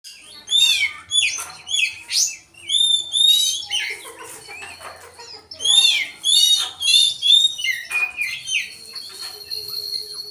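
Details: Magpie-robin singing with its tail spread, its song including imitation of a bulbul: rapid, varied high whistles, sliding notes and sharp chirps in dense bursts, briefly pausing, then resuming in rich, energetic phrases.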